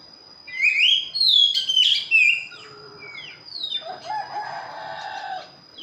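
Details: Oriental magpie-robin in energetic song: a few bright whistled phrases, one long wavering note and a downslur, followed by a quieter stretch with lower drawn-out sounds resembling a distant rooster crowing.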